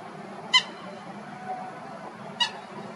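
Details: Common gallinule in Florida giving two short, sharp, nasal honking notes about two seconds apart, each bright with harmonics, over steady low background hiss.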